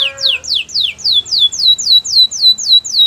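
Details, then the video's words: Gloster canary repeating clear downward-swooping whistles at a steady pace of nearly four a second, each sweep falling from very high to mid pitch. "Gloster canary singing"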